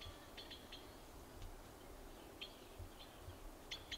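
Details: Yellow-billed blue magpies feeding on a dead monkey in an Uttarakhand forest, India: short harsh calls with stacked overtones come in quick pairs and clusters, spaced irregularly over steady low forest rumble.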